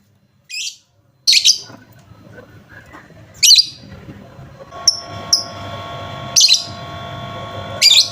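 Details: Lovebird chirps meant to prompt a silent lovebird to sing: short bright high chirps spaced irregularly, a few seconds apart, with faint steady hum and tonal background lines.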